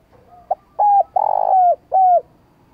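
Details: Cooing spotted dove in the sat boi style meant to excite decoy birds into cooing: a soft lead-in, a short clipped note, then three strong coos, the middle one longest and gently falling, separated by brief pauses.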